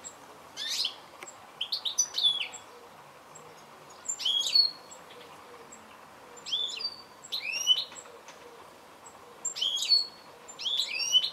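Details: Goldfinch giving short bursts of high twittering chirps and upward-slurred notes, separated by pauses of one to two seconds, over a quiet hissing background.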